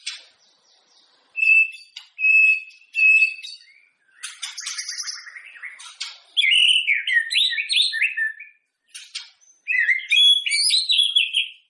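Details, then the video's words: White-rumped shama song, played to get other shamas singing before a contest: high varied whistled phrases, short repeated notes, then rich looping warbles rising and falling, with brief pauses between bursts. "suara burung muray cocok buat adu vokal burung muray teman2 Sebelum tanding"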